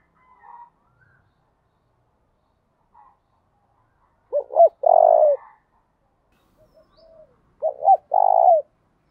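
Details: Spotted dove cooing in the 'thổ đồng' voice style, used to provoke males into answering and fighting. Two phrases: quick clipped notes then a long steady low coo, the second about three seconds after the first, with faint quieter coos between.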